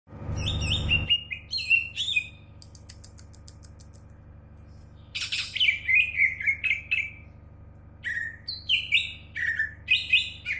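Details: Champion greater green leafbird singing: bursts of sharp, bright chirps sliding downward, a quick ticking run, a brief pause, then a long, lively stream of rich, repeated chirps. A low rumble is heard at the very start.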